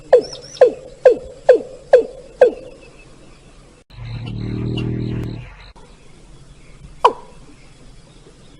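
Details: Watercock call used as a lure for bird hunting: six hollow, falling 'kok' notes, about two per second, followed by a brief low droning hum and a single sharp knock.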